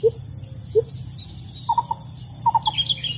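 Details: Sooty-headed bulbul in the wild, recorded for use as a trapping lure: two low single notes, then quick clusters of three soft chips and a few higher chirps at the end, with a low rumbling hum behind.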